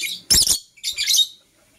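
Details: Morning calls from green and blue masked lovebirds: two loud, shrill, buzzy screeches, each lasting about a quarter second, separated by a short pause.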